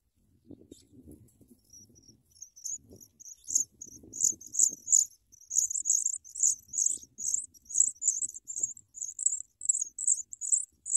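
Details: Nestling Sprague's pipits begging as a parent delivers large worms. Shrill, high-pitched cheeps start sparse, then build into a steady, insistent series of short bursts, with soft rustling underneath early on.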